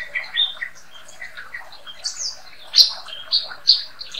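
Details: White-rumped shama, daily-kept bird, singing as a master song for training songbirds: a lively series of high, varied chirps and short whistles, with several sharp, bright notes repeated near the end.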